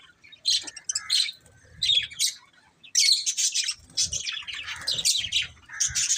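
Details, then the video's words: Budgerigars chirping in short bursts of squawky, warbling notes, with brief pauses between groups of calls. "Beautiful Budgies Chirping Sounds"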